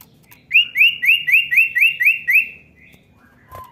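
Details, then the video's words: Common iora call for prompting a young bird to sing: a steady run of eight rising, slurred whistled notes about four per second, trailing off, with a click near the end. "cepat pancing bunyi cipow bahan"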